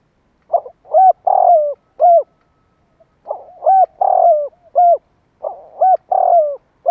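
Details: Spotted dove calling to stimulate other doves: three evenly spaced phrases of hollow coos, each mixing a long rough falling note with crisp short hooked coos, and clean silence in between.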